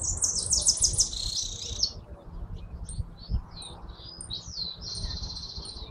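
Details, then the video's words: Hooded siskin, named by its Argentine local name jilguero argentino, singing a rapid twittering run of high buzzy trills, followed by thin scattered chirps and a long buzzy trilled phrase, over a low rumbling background. "Jilguero argentino"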